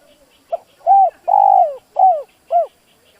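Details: Spotted dove cooing to provoke a reluctant decoy dove: a short soft lead note, then four strong throaty coos, the second long and sagging in pitch, the phrase ending on a clipped upturned note.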